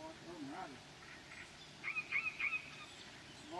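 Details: A mute swan with three fresh-looking cygnets, in Tinnerö Eklandskap nature reserve, Linköping, Sweden, in 2010, gives four short, nasal, honking notes in quick succession after a man speaking on the phone.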